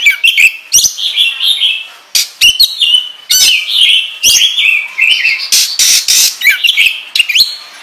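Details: Caged oriental magpie-robin singing a lure song in the gacor ngobra style, meant to provoke other kacer into singing. The song is loud, fast and varied, with whistled, slurred phrases and sharp clicking notes tumbling on without pause.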